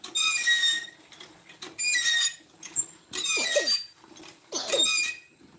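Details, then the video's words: Talking common myna imitating Bodo speech, giving loud bursts of high, harmonic chattering notes, roughly once a second, mixed with quick downward-swooping squeaks and brief gaps between bursts. "Maina Bird - The First Human to Talk in Bodo Language!"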